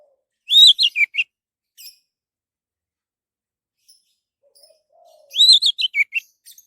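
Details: Orange-headed thrush song, a lure to prompt other birds to sing: two matching warbled phrases dropping in pitch, about five seconds apart, with a faint low whistle between them.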